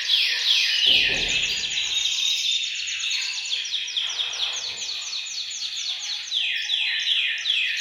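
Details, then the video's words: Bird-room chorus of canaries meant to rouse males into singing; dense high trills of fast falling notes repeat steadily, with several birds overlapping throughout and a soft low thump early on. "أقوى تحفيز لتغريد وتجهيز الكناري، تغريد جماعي في غرفة الطيور سيجعل طيورك تغرد مباشرة"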